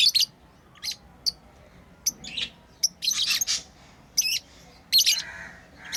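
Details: Lovebirds kept as pets, playing and chirping: thin, sharp ticks at first, then louder, rasping high chirps in bunches.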